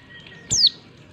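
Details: Female white-eye calling to stir males into answering, used as a lure for group-kept and quiet males: one thin, high, sharply descending whistled note with a click at its start, over faint low background hiss.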